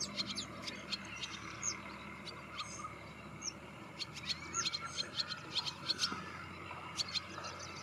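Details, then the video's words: Twittering wire-tailed swallow: scattered high clicks and chirps at first, then denser bursts of quick, sharp notes in the second half, against a constant low natural hum. "Wire-tailed Swallow Call"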